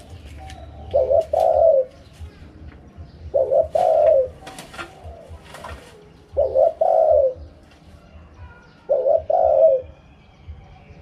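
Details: Spotted dove singing in the wild "karom pa" cooing style. Four low, mellow phrases about three seconds apart, each a quick stuttered pair of notes leading into a longer rolling coo that falls away, over a faint low rumble.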